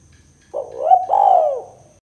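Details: Spotted dove call used as a lure to attract and provoke other doves, a two-part 'kuk 2' style: a low throaty coo rising into a longer, slightly louder, gently falling coo, heard once in a quiet setting.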